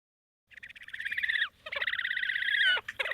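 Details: Horned grebe giving a raspy, thin whinny or braying call, wimpier than a red-necked grebe's, more vocal early in the breeding season: two long trilled, rattling bursts, each about a second, followed by a short third burst, in a quiet background.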